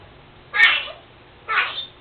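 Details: Pet Senegal parrot indoors mimicking its owner's sneezing: two short, harsh, breathy sneeze-like bursts about a second apart, in a quiet small room.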